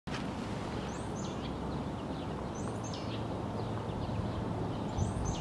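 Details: A brown creeper gives thin, very high, sibilant notes, repeated every second or two, over a steady low rumble of wind or distant traffic, in Urbana, Illinois.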